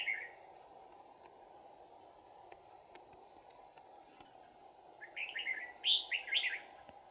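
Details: Red-whiskered bulbul, a decoy bird used for trapping, with a bell-like voice, giving fighting song on 11 January 2019. Long quiet stretch under a steady high insect drone, then a burst of clear whistled, warbling notes near the end.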